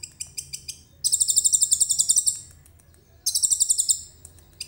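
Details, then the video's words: Lively common iora mixing cililin phrases into its song, recorded with a phone: a few clipped chirps lead into two dense, very high trilled bursts separated by a quiet gap. "KONIN GACOR FULL ISIAN CILILIN JERNIH"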